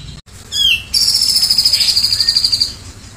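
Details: A grey-cheeked bulbul (Alophoixus bres), a tutor bird for song training, sings actively: a brief slurred whistle falling in pitch, then a fast, very high, rattling trill of about twenty pulses lasting nearly two seconds.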